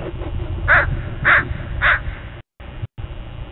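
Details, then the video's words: A crow in a dawn flock gives three evenly spaced, hoarse caws about half a second apart, then brief silence, with low background hum throughout. "Dawn with a Murder of Crows"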